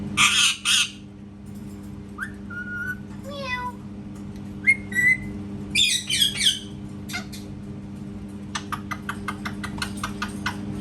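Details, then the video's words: Parrot copying cat sounds: harsh squawks, short whistled notes, a wavering meow-like glide, more raspy bursts, then a rapid series of dry clicks toward the end, with a low hum throughout. "PARROT MAKING CAT SOUNDS"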